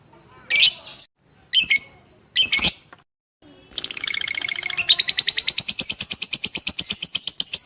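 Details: Lovebird masteran meant to build fighter character in listening birds. Three short, harsh squawks with pauses open the passage, then a rapid string of high, sharp chirps starts and continues evenly.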